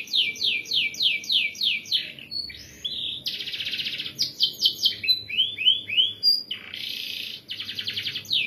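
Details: Canary song used as tutor song for training other birds: rapid descending whistled trills, a dense buzzy roll, rising upswept notes, then another fast trill, all high-pitched and continuous.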